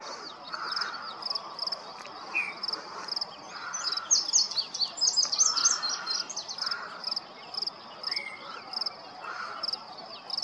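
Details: Yellow-breasted chat singing a scattered mix of short low whistles, a brief rising note and a burst of chattering high notes, set against a steady pulsing insect-like buzz repeating about twice a second.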